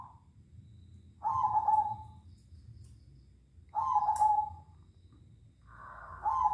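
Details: Night-time exchange between zebra doves: rolling, slightly descending coos about every two and a half seconds, over a soft low background murmur.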